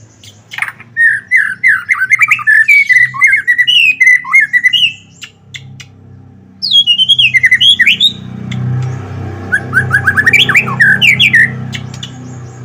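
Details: White-rumped shama in full song, used to provoke other shamas into singing: rich bursts of whistled, warbling phrases around the middle register, a pause, then a second burst with rising and falling notes and harsh chatter mixed in.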